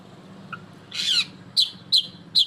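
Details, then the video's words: Black-breasted oriental magpie-robin with a loud voice: a brief buzzy high burst followed by three sharp, high clipped notes spaced about a third of a second apart. "Kacer Dada Hitam Dengan Suara Lantang"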